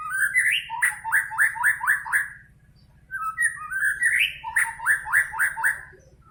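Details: Pet white-rumped shama in a cage: an upward whistled slur followed by fast, evenly repeated chattering notes, the phrase given twice with a brief pause and a low hum throughout.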